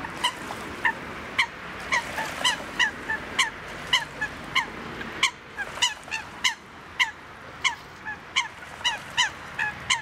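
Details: Eurasian coot at Duingt beach on Lake Annecy, Haute-Savoie, in the French Alps, giving a fast stream of short, nasal, honking notes, several per second, some doubled, over a soft background hiss.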